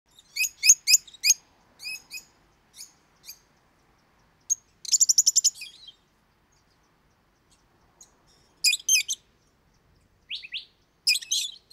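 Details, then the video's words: Lovebird, a pet parrot, chattering song of sharp high chirps in uneven bursts, then a rapid buzzy trill of about a second, followed by more squeaky chips and a rising squeal; quiet background. "Как поёт неразлучник"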